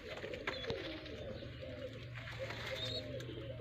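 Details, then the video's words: Soft, low cooing of village pigeons in Sindh, Pakistan, repeated in gently rolling phrases, with faint high chirps from other birds and a steady low hum. "Pigeon my village Pakistani kabutar sindhi bird"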